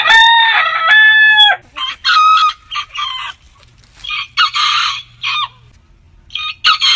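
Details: A rooster of a heritage breed opens with a strong crow that breaks into stepped notes, followed by shorter, noisier crowing bursts from other roosters in quick succession.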